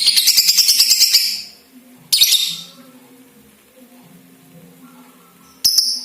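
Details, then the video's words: Lovebird balibu lure to get other lovebirds singing: a second of shrill pulsed chatter, then mostly quiet with two brief, high, hissy chirp bursts. "LOVE BIRD BALIBU , PANCINGAN LABET BALIBU AGAR CEPAT GACOR DAN NGEKEK RAJIN BUNYI"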